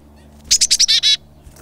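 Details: A Black-capped Chickadee gives its namesake call: a few quick, high, thin notes, then several harsher, buzzy 'dee' notes within about a second. The call warns of predators and coordinates group movement.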